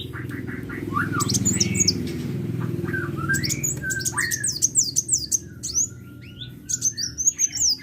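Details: Sunbird (kolibri) in full, vigorous song: rapid high thin chirps and sharp downslurred whistles, with lower warbled notes mixed in, over a steady low hum.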